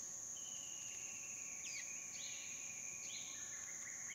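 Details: A female Asian fairy-bluebird drinking at a small waterhole in a dry stream bed with Hair-crested Drongos, dry season, Phnom Prich Wildlife Sanctuary, Cambodia, 8 March 2016 afternoon, gives liquid sliding whistles over a high insect drone.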